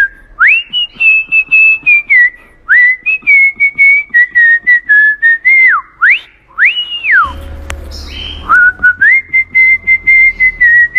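Cockatiel whistling a learned tune in clear, pure notes with sliding rises and falls.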